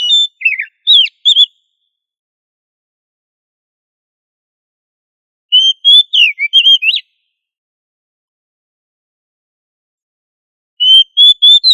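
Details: Oriental magpie-robin singing to train other magpie-robins to sing loudly: three separate bursts of varied whistles, slurred and downswept notes mixed with steady clear tones, spaced by long silent pauses.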